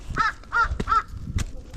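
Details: Crow calling beside a snowy hiking trail along the Seoul city wall, South Korea; three hoarse, evenly spaced caws in quick succession, followed by footsteps and handling noise.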